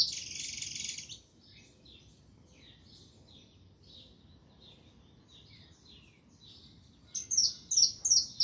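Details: Saffron finch song: a brief burst of noise, then a long stretch of faint, scattered high twittering notes, ending with four loud, ringing chirps about a third of a second apart.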